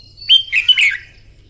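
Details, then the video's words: A red-whiskered bulbul gives energetic morning song used in contest training. A sharp whistled opening note leads into a run of chirpy, bubbling warbles that drop in pitch. The background is otherwise quiet. "Chào mào hót kích lửa " luyện chào mào hót đấu buổi sáng" kích chim hót căng lửa"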